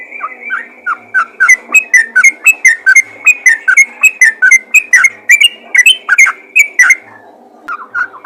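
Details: A yellow-vented bulbul calls out to others of its kind, delivering a long rapid chain of bubbly whistled notes that slide up and down, easing off briefly before a final few.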